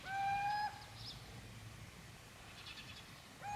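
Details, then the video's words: Little owl in Gmina Podedwórze, 2 November 2018, giving a drawn-out level whistled note lasting over half a second, then quiet, with the start of another note at the end; soft background hiss and faint higher chirps. "Pójdźka / Little Owl / Athene noctua"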